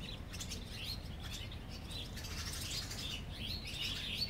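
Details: Barn swallows at a colony under a bridge in Mercer County Park, New Jersey: overlapping high chirps and twitters from several birds, continuous throughout, over a steady low rumble.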